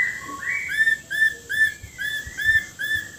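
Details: White-rumped shama of the Borneo type singing: a series of short upslurred whistles on one pitch, about two or three each second, clear and evenly spaced over a quiet background.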